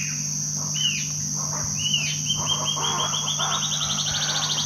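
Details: Band-tailed antbird (Hypocnemoides maculicauda) at Poconé, Mato Grosso, Brazil, in May 2009, giving high, clear whistled notes that speed into a rapid, slightly rising trill over a steady insect drone and low hum.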